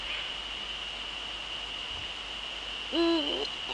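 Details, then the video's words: Eurasian eagle-owl, a male, recorded in the Netherlands on 30 January 2013 at 18:00; after a quiet stretch comes one low, level hoot that dips at its close, with a steady high-pitched hum throughout. "eagle owls NL 2013-01-30 18:00 male"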